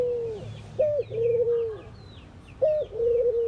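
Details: Ring-necked dove cooing during morning activity among Indian birds: two low coos, each a brief higher opening note dropping into a long, steady drawn-out tone. Thin, high, descending chirps from small birds twitter in the background.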